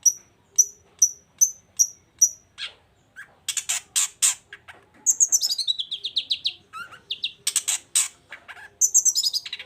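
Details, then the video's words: Long-tailed shrike singing energetically, a recording meant to stir silent shrikes into answering: a run of evenly spaced sharp high chips, then a varied medley of rapid buzzy bursts, descending whistled slurs and scratchy notes. "CENDET GACOR ❗RAJANYA DONGKRAK EMOSI CENDET DIAM LANGSUNG NYAUT GACOR IKUTAN BUNYI"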